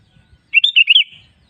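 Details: A sooty-headed bulbul gives a brief, liquid phrase of about five bubbling notes that swoop up and down, used as a lure so caged bulbuls answer and sing. Quiet background apart from soft low rumbling.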